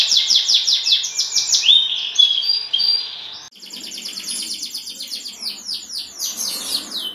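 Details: A champion canary, used as a lure to get other canaries singing, sings rapid rolling trills of bright chirps, switching tours every second or so, with a brief whistled slide between phrases.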